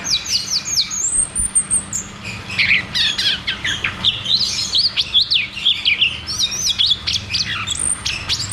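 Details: Ngeroll tembak song from a cucak cungkok, played as therapy for caged birds that no longer sing: a high sustained whistle, then lively, varied chirps and trills pouring out rapidly.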